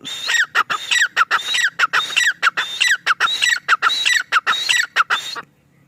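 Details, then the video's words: A male grey francolin calls in loud, harsh, ringing bursts, repeated rapidly about one and a half times a second for over five seconds, then stops. "Teetar ki awaaz | teetar sound | teetar ki boli | male tetar sound"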